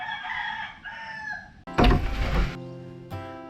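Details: Rooster that woke travellers at dawn near a small hotel in Chumphon, Thailand, on a grey February 2024 morning; a harmonic, drawn-out crow opens, then a burst of loud rumbling noise and a steady humming tone.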